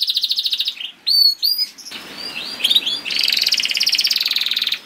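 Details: Canary masteran song, played to prompt other canaries to start singing; opens with a rapid buzzy trill, then sharp whistled upslurred and downslurred notes, then a long dense rattling trill with many notes per second.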